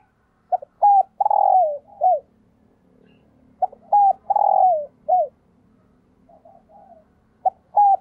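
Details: A decoy spotted dove calls wild doves in the morning with two full loud phrases: quick clipped notes, a long rolling coo, a drooping final note. Fainter, more distant cooing fills the gaps, over a low background hum.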